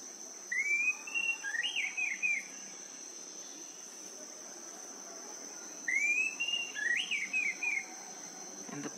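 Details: Orange-bellied flowerpecker (Dicaeum trigonostigma) in Bali, giving a high, thin phrase of sweeping whistled notes that rise then tumble down, repeated about five seconds later over steady insect buzzing.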